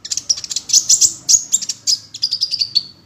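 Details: Kolibri ninja sunbird, a small bird of 7-8 cm, glossy black with a golden-red head, singing as a training song meant to set other sunbirds singing: rapid high thin chirps and sharp ticks, ending in a short buzzy trill.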